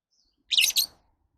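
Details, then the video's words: Lovebird uttering one loud, piercing, screechy chirp of two linked notes lasting under half a second, with no other sounds around it. "Love birds Sounds"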